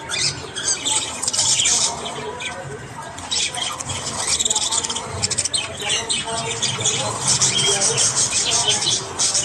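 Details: Australian budgies in the morning, a flock chattering with rapid scratchy chirps and squawks, several birds at once, busy bursts with a brief lull near the middle.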